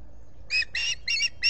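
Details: Wild osprey calling at its Finger Lakes nest, US, on the morning of 23 July 2021 as a visitor arrives. Four short, sharp, high squeaky chirps come in quick bursts over steady low background hum. Recorded by a solar-powered camera.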